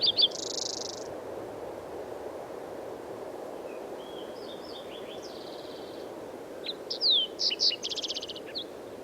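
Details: Green-tailed Towhee singing in the Buckhorn area last spring, recorded with a dedicated recorder and microphone: sharp high whistled slurs leading into dry buzzy trills, phrases a few seconds apart, over a steady low rushing background noise.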